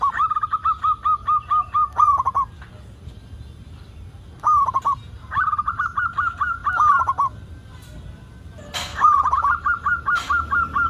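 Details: Zebra dove, local bird in strong voice, its song meant to trigger other zebra doves: repeated phrases of clear, evenly paced ringing notes with bubbly endings, separated by pauses, with a few clicks.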